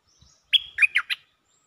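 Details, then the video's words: Cream-vented bulbul mating call: one quick, loud phrase of a drawn-out whistle followed by three bubbly, chattering notes. "เสียงนกดอกแตงEp.155 สับไม่หยุด!! เสียงเรียกคู่ เพลงดี ร้องวน Suara pikat merbah lekir gacor"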